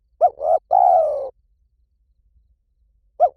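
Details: 'Liew tan'-style spotted dove call for training a dove to respond: one full three-note phrase, two quick coos and a lengthy descending croo, then the opening note of the next phrase after a pause.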